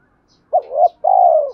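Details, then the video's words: Single spotted dove coo phrase to stimulate decoy birds: a brief sharp note swelling into a rising hoot, followed by a long, evenly vibrating coo that trails downward. "tiếng cu gáy thúc kích bổi tập mồi hiệu quả"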